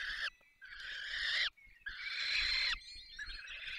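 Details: Falcons at the nest during feeding in Poland's Barycz Valley: long rasping screeches, over a second each, with short breaks between them and a faint low background rumble.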